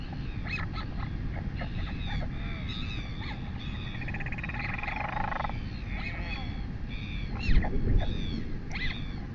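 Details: Royal albatross chick begging while its mother feeds it, filmed by a New Zealand nest webcam at 11:24 am on 23 August 2020. Quick, high, squeaky arched calls chatter in rapid series over a strong, steady wind roar, with a brief tonal hum midway.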